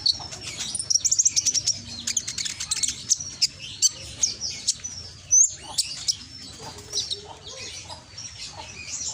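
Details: Konin recorded by phone in Gresik, East Java, singing a loud, piercing lure song to provoke other konin. It opens with a rapid chattering burst of high chirps, followed by scattered sharp notes and a few squeaks.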